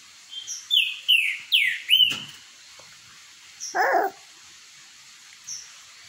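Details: Green-winged saltators, the true trinca-ferro, in a singing contest in boiadeiro style: four loud whistled notes, each sweeping downward, about every half second, then a short harsh burst and a faint high note.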